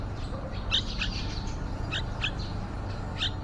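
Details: Yellow-vented bulbul at a nest outside a window, day 29 of a nesting, hatching and fledging period, with young birds answering the parents' singing. Short, high, sharp chirps come singly and in quick pairs over a steady low hum.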